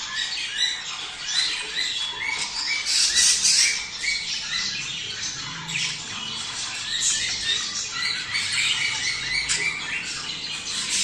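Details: Budgerigars, a sound meant to prepare male and female for mating: dense, continuous scratchy squawks and chirps from many birds overlapping, with short rising chirps standing out and louder bursts around the third second.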